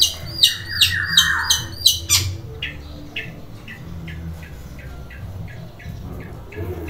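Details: Long-tailed shrike (cendet) kept at a house, calling loudly when someone arrives: a rapid burst of harsh, squawking notes, then a long even series of short rasping chips, about three per second, with low indoor hum underneath.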